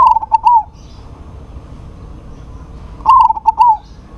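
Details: Local zebra dove in full voice, calling a rival that answers: two loud, clipped cooing phrases with quick wavering notes, one at the start and one about three seconds later, with quiet pauses between.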